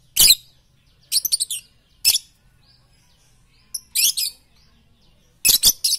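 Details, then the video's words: Lovebird training song for morning, noon and night, made up of repeated short bursts of shrill, buzzy chirps, some given singly and some in quick triplets, spaced by brief silences. "masteran Lovebird pagi siang dan malam paling cocok"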